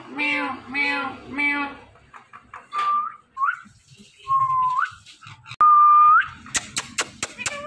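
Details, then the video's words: A talking Indian ringneck (rose-ringed) parakeet says three quick, word-like syllables in a raspy voice, then gives several short whistles; a loud, clear rising whistle ends with some sharp clicks. "The Talking Ringneck Parrot"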